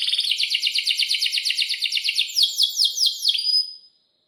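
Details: Excited 'gacor' canary in breeding mood, used as a singing model for young birds: a fast, pulsing roll of notes that slows into a few broader sweeping notes before fading to silence.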